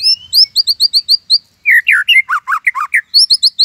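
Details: White-rumped shama performing a Cililin 'tembakan' song meant as a master for training birds: a steady series of high rising whistles, then a rapid sequence of loud downslurred notes and more high chirps.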